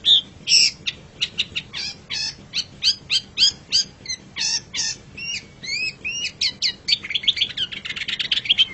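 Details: Long-tailed shrike singing a master song for training pet birds: a rapid, varied stream of sharp chips, hooked notes and short slurs, accelerating into a dense chatter at the close.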